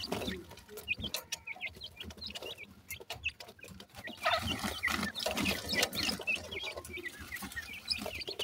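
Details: Baby black francolins (dakhni teetar) at play, captive young birds: thin, hooked peeps repeated in quick irregular bursts, with a denser busy stretch midway and background clatter and rustling.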